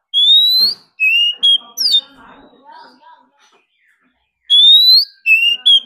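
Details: Competition song of a wild-caught Oriental magpie-robin driven to sing hard: loud rising whistles and sharp slurred notes, a stretch of softer murmuring sounds, then the bright rising whistle and short notes return.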